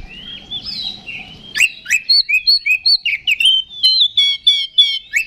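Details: Oriental magpie-robin (kacer) delivering a fighting 'ngeplong' song, used as a lure to rouse other magpie-robins: faint low rumble at first, then loud whistled phrases and buzzy stuttered notes repeated rapidly, almost two per second.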